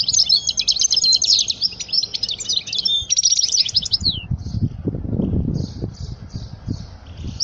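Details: European goldfinch song for teaching young birds: about four seconds of dense, high, jangling twitters and buzzy trills. Softer, spaced chirps follow, with low rumbling noise in the background.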